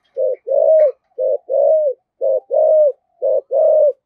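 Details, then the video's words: Spotted dove kept as a decoy bird in Vietnam, thổ voice style, giving urging coos. Four even pairs, each a short note and a longer drawn-out coo that falls slightly, spaced roughly a second apart. "Chim Cu Mồi, chim cu gáy giọng thổ thúc gù và gáy gọi hai hậu rất chuẩn"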